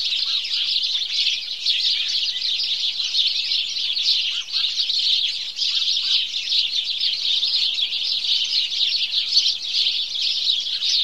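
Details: Many house sparrows calling together at dawn: a thick, constant twittering of bright chirps that overlap without gaps, with occasional lower notes poking through the chatter.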